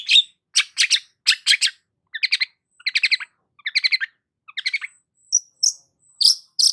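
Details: Long-tailed shrike singing energetically, kept as a lure to stir stressed shrikes; a rapid series of harsh, noisy bursts gives way to stuttering chattered phrases and a few thin, high squeaky notes, each phrase brief, with nothing else audible.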